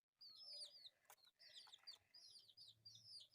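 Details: Quieter cheeping from four colourful pet chicks at play: high, looping peeps, some drawn out, with soft tapping sounds and a faint low hum.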